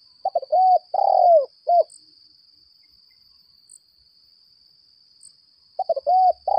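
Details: Caged decoy spotted dove of the 'lambung kuk' kind calling in contest; a stuttering coo phrase ending in a drawn-out falling note, silence, then the phrase begins again, over a steady high whine.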